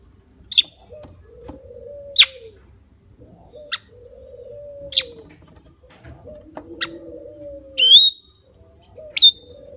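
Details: Javan myna giving loud, sharp, clipped harsh notes about every one and a half seconds, one ending in a short whistled tail, over soft low arched cooing tones from another bird.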